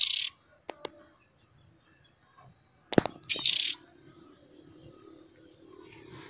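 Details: Lure recording of a young oriental magpie-robin: a rough, scratchy burst at the start and a longer grating screech about three seconds later, with sharp clicks between and a faint murmur behind.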